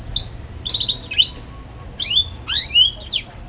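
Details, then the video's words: Young canary twittering, a song to lure young canaries into learning: spaced whistled notes and upward and downward sweeps, separated by short gaps, some chirps rising sharply. "KENARI PAUD NGERIWIK GACOR CUIT CUIT"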